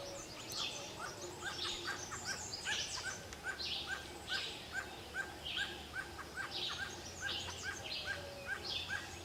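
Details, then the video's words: Forest barbet giving a long, even run of clipped notes, one about every 0.6 seconds, while other birds chirp and trill higher up and a low hum runs underneath. "เสียงร้องนกโพระดก ในป่า"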